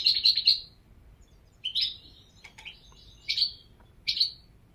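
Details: European goldfinch singing: a quick cluster of three bright twittering notes at the start, then separate short chirpy bursts about every second. The notes are high, liquid and tinkling, over a quiet indoor-sounding background.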